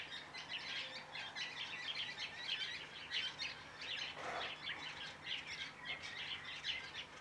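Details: White-browed woodswallows in a large flock mixed with some masked woodswallows, uttering a busy stream of high twittering chirps, with a brief lower rushing sound at about four seconds.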